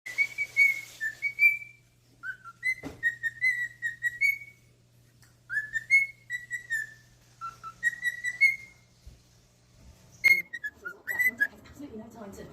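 A cockatiel whistles a bright, tuneful song of repeated rising and falling phrases.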